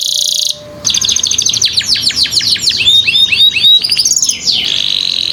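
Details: Canary song used as a tutor to get young canaries singing: fast varied phrases of rapid trills, downward-sweeping whistled notes and buzzy rolls, high-pitched and continuous after a brief opening buzz.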